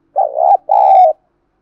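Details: Decoy spotted dove calling to urge wild doves to coo: one low, hooting two-part coo, a wavering first note then a longer steady second note after a short gap, clean and without background.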